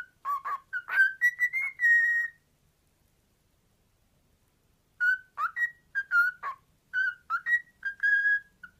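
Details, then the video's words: Male pet cockatiel attempting a familiar theme tune, imperfect and out of order: a quick string of clear whistles held and rising slightly, a long silence of over two seconds, then a fresh run of short whistled notes. "Archer sings 'The Archers'"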